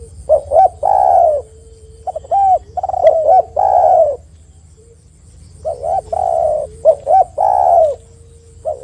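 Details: Spotted dove coos used as a lure so other doves start calling: pairs of brief upturned notes each followed by a broad, husky, falling coo, about four phrases with a faint steady tone between them.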